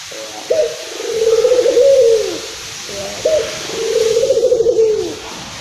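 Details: Local Indonesian Barbary dove, described as excited, calling to stimulate other doves. Two trembling, rolling coos, each beginning with a short clipped note, repeat about every three seconds over a steady background hiss.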